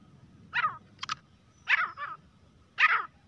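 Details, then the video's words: Grey francolin calling with harsh, rasping notes and a brief clicking double note in between, irregularly spaced, with a low background hum. "teetar ki awaaz-तीतर की आवाज | grey francolin partridge calling voice"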